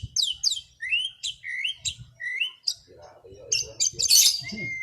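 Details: White-rumped shama singing in full, open voice in the afternoon, meant to relax over-aroused birds: clear whistled phrases, some swooping down and others rising, then a busier burst of high chirps and rasping notes with low background rumble.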